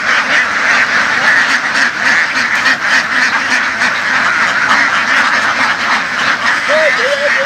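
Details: Herded laying ducks out in the fields of the western region, a large flock quacking together in an unbroken, raspy wall of sound, with a brief human voice near the end.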